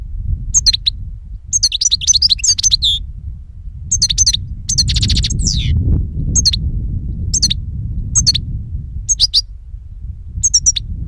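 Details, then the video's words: Singing European goldfinch, recorded as a lure for catching birds: clipped, tinkling twitters repeated in short phrases with gaps, one longer buzzy run near the middle, and a constant low background hum throughout. "Chardonneret qui chante"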